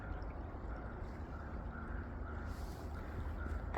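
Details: A steady low rumble like an engine or water, with a faint hum and some soft hiss near the end, and no animal voice.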